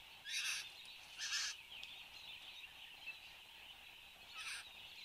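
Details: Satin bowerbird, Australia, displaying at the bower on a January 2015 morning. Two loud grating bursts come close together, then a softer third after a pause, with a droning insect chorus beneath.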